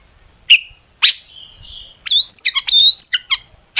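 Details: Long-tailed shrike singing as a lure for other shrikes; two abrupt sharp notes, a drawn-out thin whistle, then a loud, twisting series of sliding whistles broken by quick clicks.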